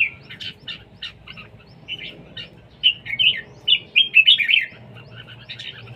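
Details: Singing contest of a red-whiskered bulbul, siêng ché style: spaced chirps open the phrase, then a fast cheerful string of loud whistled, warbling notes, tailing off into softer chirps, low hum underneath.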